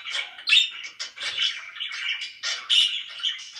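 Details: Loud pet budgerigar chirping, a brief rush of raspy twitters and squeaky notes in quick back-to-back bursts.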